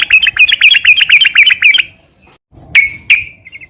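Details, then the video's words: Sooty-headed bulbul giving a quick, even series of bright slurred chirps for nearly two seconds, then after a pause two sharp notes and a short trailing twitter. "Suara kicau burung trucukan gacor garuda sambung ngeropel"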